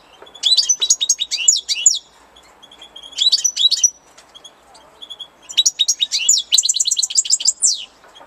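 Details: European goldfinch singing in spring: bright, rapid twittering phrases of tinkling high notes and short trills come in several bursts, each about a second long, separated by brief pauses with faint background chirps.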